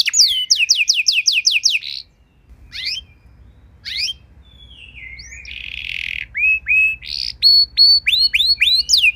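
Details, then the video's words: Tutor song for canaries: quick series of falling whistles, a pause with scattered sweeps, a long wavering buzzy passage, then evenly repeated hooked whistles getting faster. "Masteran dan Pancingan Burung Kenari Biar Punya Lagu Mewah!"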